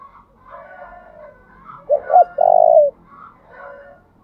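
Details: Lure spotted dove giving the 'thúc' cooing song to attract wild doves, alternating phrase patterns. Gentle low murmurs surround one loud phrase: two short clipped notes followed by a long, even coo.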